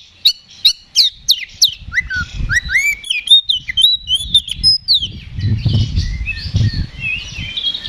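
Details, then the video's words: Fighting song of an Oriental magpie-robin, ngeplong style, used as a lure to raise other birds' aggression: rapid falling whistles, then varied looping and slurred whistled phrases, later softer warbling over low thumping background noise. "KACER GACOR NGEPLONG TARUNG !! PANCINGAN KACER PALING AMPUH BUAT MENAIKAN EMOSI KACER AUTO RESPON"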